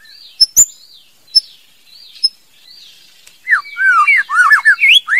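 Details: Female White-rumped shama: soft wavering high whistles and scattered sharp chips, then a sudden rapid stream of mellow, looping whistled notes.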